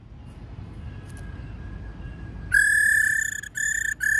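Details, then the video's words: Female laughingthrush giving its 'rò' call, used to stir male birds into singing: after faint background hiss, a loud, nasal, steady mid-pitched note with rich overtones, then two shorter matching notes. "Khướu mái rò | khướu mái ro ro kích khướu bổi cực nhạy. tiếng khuou mai ro"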